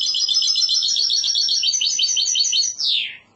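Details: Goldfinch hybrid's Andalusian-style song: a steady, very high, rattling trill of quick repeated notes, closing with a sliding downward whistle.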